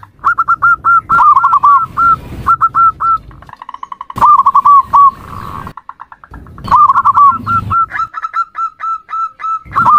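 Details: Zebra dove call used as a lure call, rhythmic bursts of soft, clipped coo notes, several quick rolling trills and repeated even beats, separated by short gaps and sharp clicks.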